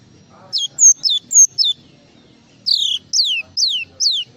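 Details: Java sparrow full filler song: a few crisp high notes with short falling tails, a pause, then four louder, longer downward-sweeping whistles evenly spaced about half a second apart.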